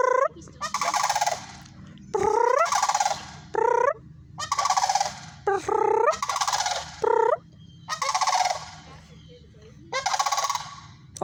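Sandhill cranes give loud, rolling, rattling bugles in bursts of about a second, repeating roughly every one and a half seconds, over a low steady hum.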